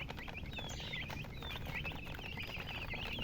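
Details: Baby chickens give thin, high cheeps, a few longer sliding whistled notes among quicker chirps, softer and sparser than a full chorus, with low background hum.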